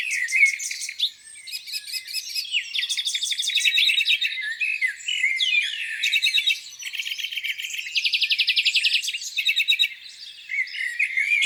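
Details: Several birds singing on a spring morning by a lake: dense overlapping chirps, trills and rapid buzzy rattles, bright twittering phrases with short pauses, several voices at once, no other sounds.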